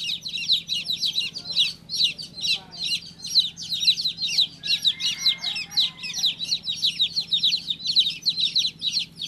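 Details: Baby chick chirping nonstop, shrill falling peeps run together into a busy, unbroken stream of high notes.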